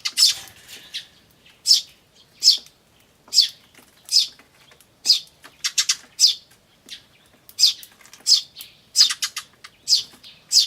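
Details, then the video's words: Tree sparrow chicks chirping "chi chi" alongside adult sparrows, recorded May 2013 on a camcorder; dense run of sharp high chirps, some in quick clusters, with irregular spacing throughout. "スズメと雛の鳴き声(5) Sound of Tree Sparrows and chicks (5)"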